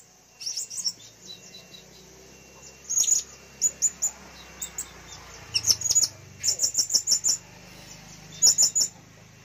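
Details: Blue-crowned hanging parrot kept as a lure bird, recorded April 2021 in full voice: bursts of thin, piercing chirps, some in rapid runs of four or five, separated by brief pauses, with faint low background hum.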